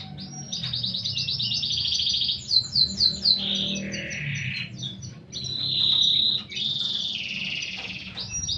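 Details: Canary in full, lively song with a unique cengkok song style: rapid buzzy trills high in pitch, shifting into rolling warbled phrases and sweeping notes, with a faint low hum underneath.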